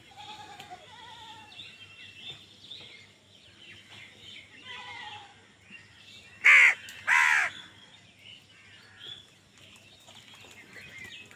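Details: Crows fighting for food: scattered softer cawing and distant bird calls, then two loud harsh caws close together near the middle, with background outdoor noise.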